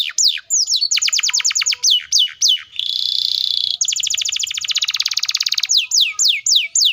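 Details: Canary in rapid song meant to bait young and stalled canaries into singing: repeated sharp descending whistles, a smooth level buzzy note, a long tight trill, then more fast falling sweeps.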